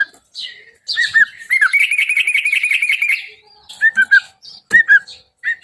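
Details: Yellow-vented bulbul song meant to provoke a reply: short bubbly liquid notes, then a rapid buzzy trill for about a second and a half, followed by more paired gurgling phrases.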